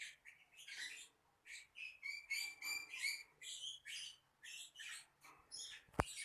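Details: Lovebird chattering in a fast run of harsh, buzzy chirps and short squawks, with brief pauses between bursts and a sharp click near the end.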